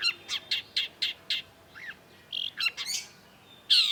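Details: Energetic long-tailed shrike (cendet) song meant to coax a silent shrike into singing: a series of short harsh chirps, a soft drawn-out warble, then more scratchy notes ending in a loud shrill burst.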